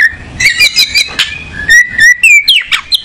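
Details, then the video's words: Oriental magpie-robin, or kacer, singing short bright whistles and trills with buzzy, rattling notes in between, the phrases quick and closely spaced. "Burung Kacer nyari posisi enak"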